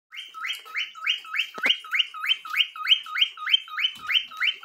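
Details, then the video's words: A pet cockatiel in Brazil sings a lot, whistling a steady repeated phrase, each note stepping up from low to higher, two or three times a second, with one brief knock. "Calopsita Cantando Muito"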